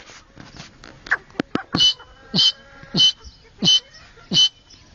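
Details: Grey francolin calling in Pakistan: after a few soft clicks, five loud rasping notes with a whistled edge come evenly about every seven-tenths of a second over low background noise.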